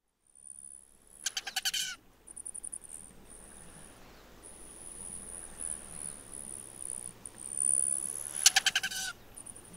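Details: Display sounds of a male Rufous hummingbird: a thin, very high metallic whine from the wings in flight runs almost throughout, broken by two brief bursts of rapid stuttering "waggle" pulses as it comes out of a dive, over quiet outdoor hiss.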